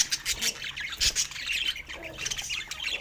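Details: Budgerigars kept as pets chattering in a dense stream of raspy, high warbling chirps that rise and fall in loudness.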